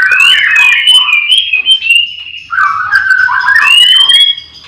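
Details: Morning at a white-rumped shama breeding farm, birds in cages all singing. A strong, continuous whistled phrase wavers and glides between lower and higher pitches, ending on a rising note, with faint extra chirps overhead.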